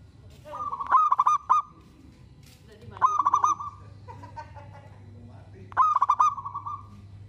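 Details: Local zebra dove singing, said to prompt other zebra doves to answer; cooing phrases of rapid pulsed notes repeated about every two to three seconds, with a low steady hum beneath.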